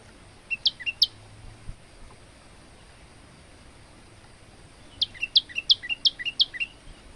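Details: Male olive-backed tailorbird, singing as a tutor for other birds: two sharp high chirps, a long quiet gap with low hum, then a fast burst of five bright repeated notes.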